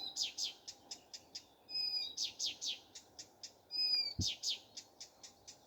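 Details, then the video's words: A common nightingale's morning song of rapid slanting notes repeated in a rhythmic string, broken by thin level whistles; a single low thump near the end. "Nightingale singing. Утренее Пение Соловья."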